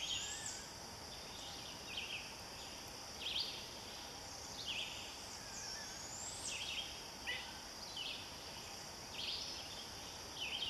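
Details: A young Barred Owl, the eldest owlet, newly branched to a different tree and calling for its mother, gives very high-pitched, raspy short screeches every second or two over a steady high insect drone.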